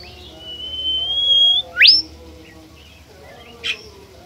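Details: Bimoli bird, a shy and rare bird, heard on a lure recording meant to provoke birds into singing: one long clear whistle rising slowly for about a second and a half, then a sharp upswept note, and a brief high note later, over low background hum.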